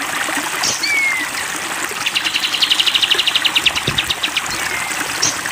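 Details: A captive grey-cheeked bulbul gives a short falling whistle, then a fast, even trill of bright notes for about two seconds, over steady trickling water.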